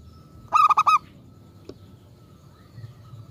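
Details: Singing local zebra dove meant to draw responses from other doves: one quick burst of four bright, clipped coo notes, followed by a single sharp click and quiet background.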